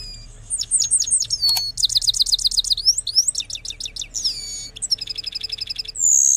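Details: A goldfinch, apparently from Parachinar, gives a fast, liquid twitter of high tinkling notes, quick trills and buzzy slurs, about four phrases a second, with no other sounds.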